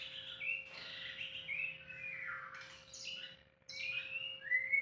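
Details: Song of a White-rumped shama, uncut recording: rich flowing whistles sweeping down and up, with a few high sharp squeaky notes and a brief quieter dip before a final bright phrase; faint steady hum beneath.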